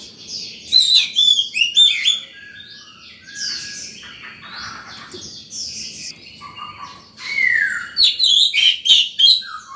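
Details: Oriental magpie-robin in breeding condition in morning song, aimed at luring wild birds and tutoring young ones; loud rapid whistles open and close a stretch of softer varied warbling and slurred notes.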